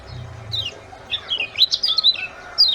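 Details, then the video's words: Lure recording meant to get reluctant cage birds singing: a single downslurred chirp, then a busy run of high sharp twittering notes, and one more descending chirp to close. "CIAK TRIPLE JOSS ||| PEMANCING SEMUA BURUNG MALAS BUNYI AGAR CEPAT GACOR"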